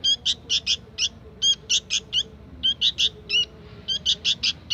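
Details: Young sooty-headed bulbul calling in short bursts of high, sharp chirps, grouped in twos and threes, with a quiet gap midway and a faint low drone behind.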